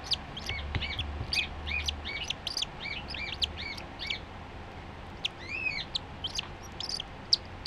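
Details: Three-day-old cockatiel chick, born 5 July 2013 and said to be very lively, gives a rapid run of thin, high chirps, often doubled and ringing with overtones, several per second for about two seconds, then scattered sharper peeps over a low steady hum.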